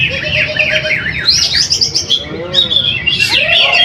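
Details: Caged greater green leafbird, first-place winner of a weekly practice contest in Jatisumber, Mojokerto; fast zigzag trills, then rising and falling whistles, with fainter lower calls from other birds.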